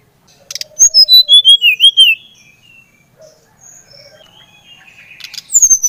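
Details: A Bali-type brown-chested jungle flycatcher delivers a cascading phrase of about nine whistled notes sliding from high to mid pitch, with a soft low whistle and quieter twitters after, used to prompt other birds to sing.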